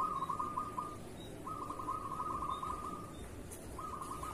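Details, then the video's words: Local zebra dove, kerot style, singing as a master song for doves in moult. Quiet, continuous rolling trills in three long stretches with brief pauses. Steady background hiss. "Suara perkutut lokal masteran perkutut kerot"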